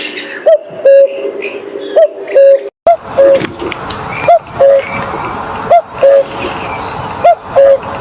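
A cuckoo gives its soft, hollow two-note "cu-coo", the second note lower, repeated roughly every one and a half seconds over a steady background hiss.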